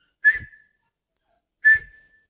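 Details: A francolin, locally called Irani teetar, gives two short, sharp whistled notes about a second and a half apart, each starting with a hard click and fading quickly.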